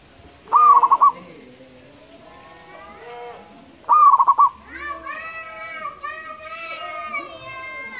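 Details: Two rolling, pulsed coo phrases from a local wild zebra dove, then loud drawn-out nasal bleating sounds that fill the second half.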